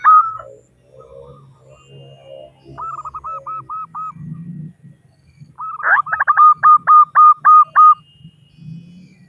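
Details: Local female zebra dove calling to males as a lure; a soft run of looping coos, low murmuring noise, then a loud fast series of about eight bright, regular coo notes.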